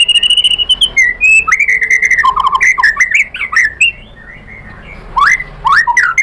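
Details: White-rumped shama pouring out a rich song of slurred whistles, trills and chips in quick succession, with a short quiet gap before more swooping whistled notes.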